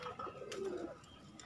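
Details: Kept pigeons from a pigeon-keeping hobby: one low, soft coo that swells and then slides downward, about a second long, with a faint click and light room noise.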